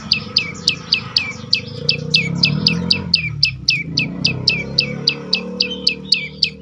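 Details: Prinia (prenjak lumut) song for luring quiet birds into song: rapid repeated high chirps sliding downward, about four per second, over a noticeable low rumbling background noise.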